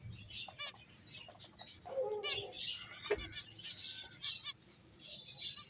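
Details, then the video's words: Playing finches keep up a dense twittering of thin, high chirps and brief trills, with a short, lower nasal note near the middle. "Cute Birds Chirping Sounds | Beautiful Finches Playing"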